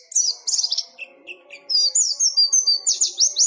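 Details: Rapid, high-pitched white-eye song made of clustered downslurred notes and level buzzy whistles. There is a brief pause, then a long, dense jumble of twittering phrases over a faint low murmur.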